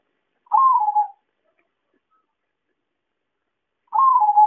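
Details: Zebra dove call played as a trapping lure: two mellow, rolling coos about three seconds apart, each starting a little higher and dropping into a steady, slightly trilled note, with silence in between.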